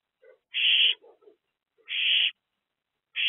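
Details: Owls in a nest box on an active evening, 23 April 2024, between 7:54 and 8:06 pm: three harsh, hissing screeches about half a second long, spaced roughly 1.3 seconds apart, with soft lower chirps between them.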